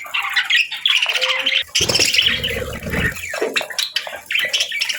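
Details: Pet budgies warbling in rapid, twittery phrases, joined midway by a low rumbling or splashing noise beneath the chatter.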